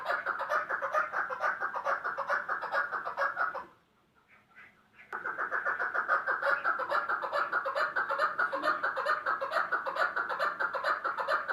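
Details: Chukar partridge giving a fast, steady run of harsh clucking notes, roughly two per second, dense and overlapping, with a brief gap of near silence midway before the chattering chorus resumes.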